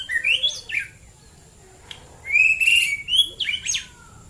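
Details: Morning singing of a white-rumped shama (murai batu) in Central Java: a short rising whistled phrase, a pause, then a longer series of sustained clear whistles and upward-flicking notes.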